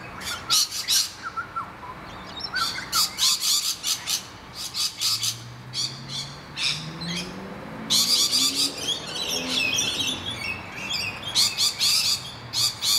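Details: Distressed rainbow lorikeets defending their nest hollow from attacking noisy miners: harsh, buzzy screeches in rapid bursts, broken by short pauses, with a low rising hum underneath midway.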